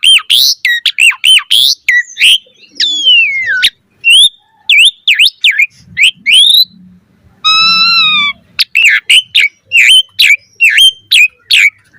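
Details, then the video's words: Mompa-style song of the Asian pied starling, full variation, used to coax kept birds into song: fast chattering chirps and swooping whistles, then a sustained harmonic whistle near the middle, before more quick notes. "Pancingan Jalak Suren MOMPA Full VARIASI - Masteran Suara Burung Jalak Agar Gacor"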